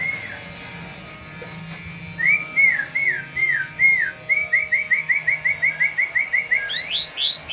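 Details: Myna singing persistently: a brief whistled slur, then a run of arched whistled notes, then a fast steady series of short repeated whistles, ending in high rising squeaky notes.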